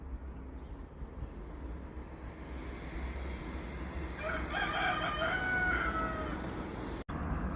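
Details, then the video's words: Rooster crowing, a drawn-out harmonic crow rising out of steady background hiss after about four seconds of near quiet, holding for nearly two seconds before a sharp click. "Rooster Crowing"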